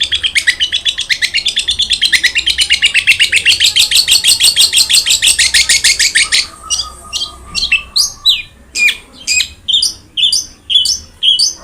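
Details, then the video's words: Long-tailed shrike in full song, played to encourage a silent shrike: a long, fast, even chattering trill lasting several seconds, then separate sharp chirps spaced about half a second apart. "BURUNG CENDET GACOR| Masteran Wajib Untuk Burung Cendet Malas bunyi"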